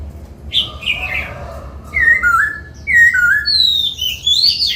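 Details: Laughingthrush kept as a cage bird, trained to sing: bright descending whistled phrases arriving in three or four bursts, ending in higher rising notes, with softer chirps in the background.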